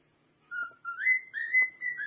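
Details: A pet cockatiel, dancing as it sings, whistles a short tune of clear, sliding notes that rise and hold in phrases.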